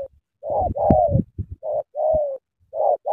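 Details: Spotted dove from Cà Mau, Vietnam, giving a string of brief mellow coos, each a hoarse note sliding slightly downward, separated by short pauses, with soft low knocks between them.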